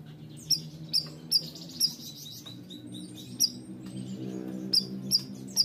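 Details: Bayeman bird in energetic song: clipped, high chirps sliding slightly downward, in bursts of three or four separated by quieter twittering, with a low humming background.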